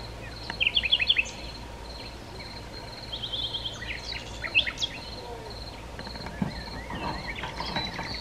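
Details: A common nightingale (Luscinia megarhynchos megarhynchos) sings in Sithonia, Chalkidiki, Greece, on 10 May 2020: a burst of fast repeated bright notes, then scattered varied phrases, against a steady high insect drone and faint rumble.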